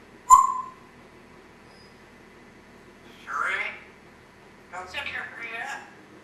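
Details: African grey parrot, a Congo grey, kept as a pet, giving a sharp whistled note followed by two short bursts of speech-like mimicked talking in a quiet indoor room.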